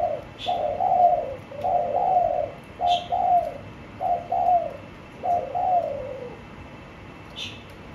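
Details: Caged spotted dove in a blue-bottomed cage, cooing in paired phrases: soft two-part coos sliding downward, repeated roughly every second and a half, with faint clicks in between.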